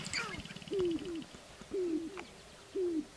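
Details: Sharp-tailed grouse displaying on a lek in Northern Wisconsin, April 29, 2021: short, low, hollow coos that slide downward, given in quick pairs roughly once a second, with a brief higher squeal at the start.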